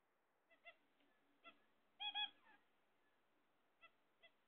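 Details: Pet zebra finches, kept while waiting for eggs, give short nasal honking calls, single notes and quick doubled bursts, scattered across a few seconds with a louder paired call near the middle; quiet indoor background.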